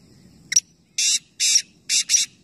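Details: A calling contest of three black francolins in Nawabshah, Pakistan. A clipped sharp note opens, then four rasping, buzzy broadband notes follow in close succession, with quiet low background noise.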